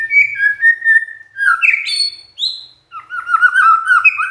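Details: A magpie-robin's provoking song to draw responses from other magpie-robins: smooth whistled phrases, an upward slur to a high falling note, a short pause, then fast rolling chirps and warbles.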